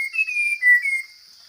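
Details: Wild forest Chinese hwamei singing: about a second of clear whistled notes, a slightly rising phrase and then a falling one, with a steady high whine behind.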